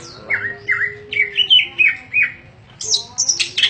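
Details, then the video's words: Greater green leafbird, a caged contest bird in 'ngentrok' fighting form, sings a 'full isian' song. A run of about eight repeated, slurred, rising whistles ends with a burst of very high, scratchy, twittering phrases. A faint low drone persists throughout. "Cucak ijo"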